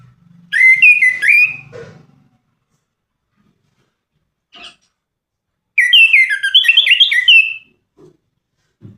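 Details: Orange-headed thrush delivering two melodious warbling phrases several seconds apart, each a fast run of slurred, varied whistles, with a few faint clicks and low thuds between them.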